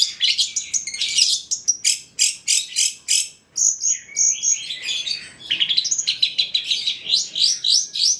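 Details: Long-tailed shrike singing richly as a tutor and lure recording: fast harsh chips in quick series, then whistled slurred notes rising and falling, and a final stretch of rapid sweeping phrases.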